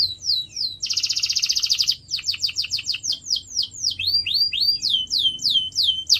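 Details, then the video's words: Canary song used to train pet birds: a few slurred notes open into a loud, fast buzzy trill, followed by steady series of sweeping chirps repeated about four times a second. "CANARY SINGING SOUND"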